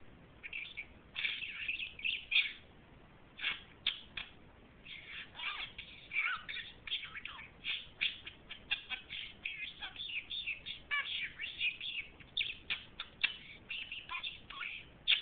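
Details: Remy, a talking budgerigar (Melopsittacus undulatus), chatters nonstop, mixing scratchy warbles and quick clicks with mimicked phrases such as "What are you doing", "You're so cute", "Baby Budgie Boy" and "Leno Sucks".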